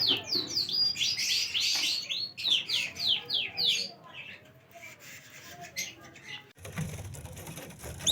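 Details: Domestic canary, recorded August 2, 2025, delivering quick series of sharp down-slurred whistled notes repeated several times a second. The phrases are loud at first, then fade into soft twitters, ending in low background rumble.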